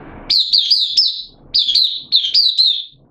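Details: Oriental white-eye kept for the bird hobby, singing openly on 8 September 2022 with form slightly down: three brisk clusters of bright, high, down-slurred chirps in quick succession, very clean with little background.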